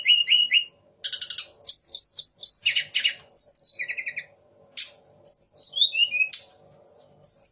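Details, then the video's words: Sunda laughingthrush pouring out a mimicking song said to carry three other birds' voices: magpie-robin, shama and orange-headed thrush. Clear whistled phrases and fast trills alternate, with a falling series of sweet notes near the end. "TLEDEKAN GUNUNG DENGAN TIGA RASA BURUNG"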